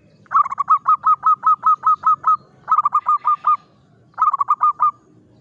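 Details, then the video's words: Local zebra dove hoisted on a pole in the morning for a mental test, giving rapid staccato cooing notes, level and mid-pitched, in three bursts of about five to ten notes each, separated by short pauses, against a quiet low rumble. "SUARA BURUNG PERKUTUT LOKAL DI KEREK PAGI HARI"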